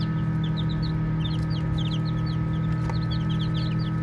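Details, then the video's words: Baby chicks peep while playing, short high falling chirps from several birds in quick irregular clusters, with one brief click near the end and a constant low hum below. "Baby Chicks Chirping Sounds"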